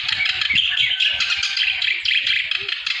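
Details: Vigorously singing clamorous reed warbler, meant to prompt sluggish cage birds to sing: an unbroken rush of harsh, grating chatter and squeaky notes, with soft low thumps underneath.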